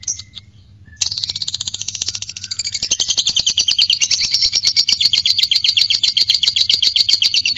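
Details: Lovebird giving the long ngekek chatter used to stimulate courtship: after a short pause, a continuous, very rapid high rattling trill of shrill notes runs unbroken for over six seconds, with faint low hum beneath.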